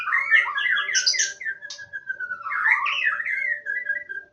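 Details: White-rumped shama singing in the wild in Indonesia: dense warbled phrases with sharp upward whistles, each trailing into a long, level whistled note, repeated twice; a constant faint hum in the background.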